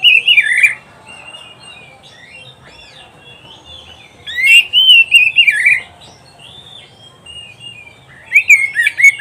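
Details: Oriental magpie-robin song used as a master recording for pet kacer: three separated bursts of loud varied whistles and warbles, each about a second long, with quiet stretches between.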